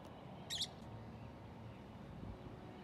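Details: A single short, harsh screech from a feral parakeet in Arizona, where flocks arrive every year, cuts through a steady low rumble of background noise, then fades out.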